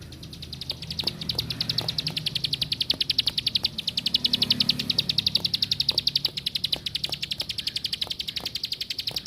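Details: Plain prinia delivering a continuous rapid series of thin, high, evenly pitched chips for over nine seconds, with faint scattered clicks and a soft low rumble underneath.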